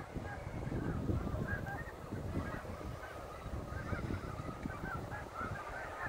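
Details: Snow geese settling onto the Saint Lawrence River at sunset in fall 2017, many birds giving continuous, overlapping high honks in a steady din, mixed with low wind rumble.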